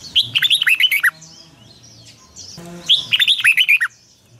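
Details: Red-whiskered bulbul morning song for training other birds, long double-twisted voice style. Two lively phrases of fast, looping whistled syllables about two seconds apart, with a quiet gap and a soft hum between.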